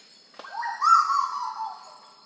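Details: On Sulawesi, a Black-billed koel utters one drawn-out, rich whistled note that starts abruptly and slowly falls away over about a second, with a constant high buzzing in the background.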